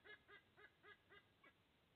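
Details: Sea eagle at an Australian nest, 30 August 2024, as the male brings lunch to two eaglets; six evenly spaced, nasal honking notes about a quarter second apart, fairly faint against hiss.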